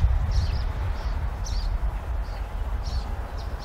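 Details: Western wood pewee fledgling begging as a parent brings food, Chama, New Mexico, August 15, 2016; short, high, slurred notes repeat roughly every half second to second over a steady low rumble of wind noise.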